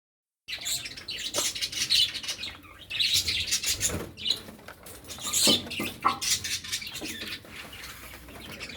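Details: Several cockatiels chirp at once while feeding in a village setting, a busy overlapping chatter of high, scratchy tweets and short squeaks, with a few soft clicks and knocks underneath.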